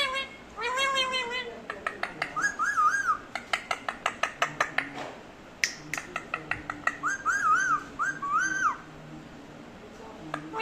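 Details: Pet parrot calling while waiting for its owner to talk: rising and falling whistled notes with stacked overtones, mixed with rapid sharp clicks and short chirps, indoors.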